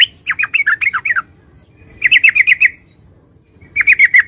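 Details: Yellow-vented bulbul song in three short bursts of quick, bubbly, liquid notes separated by pauses of about a second. The notes rise and fall in a lively chatter.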